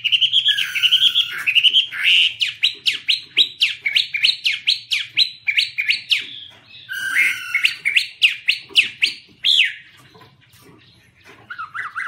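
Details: Wing-waving Chinese hwamei in full song: an opening of looping whistles gives way to a long, fast volley of sharp, down-slurred notes, repeated in two bursts, ending with quieter fluty phrases.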